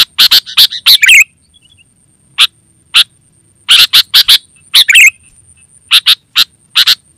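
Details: Sooty-headed bulbul in full voice, used as a lure call and master song: a dense burst of chips ending in a bubbly warble, a quiet gap with single chips, then more clustered chips and another short warble.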